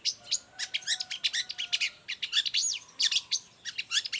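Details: Long-tailed shrike in full song, used to tutor and provoke other shrikes: a dense, fast run of sharp chirps and buzzy high notes with a brief rising slur, over faint steady whistled tones.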